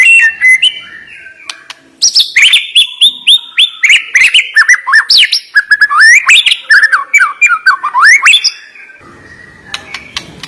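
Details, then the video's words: Rich, varied white-rumped shama (murai batu) song full of sharp, quick whistled slurs, rising and falling notes packed densely for about seven seconds before fading to a few scattered chips. "Ngeri Isian Murai Batu Ini Nembak Tajam"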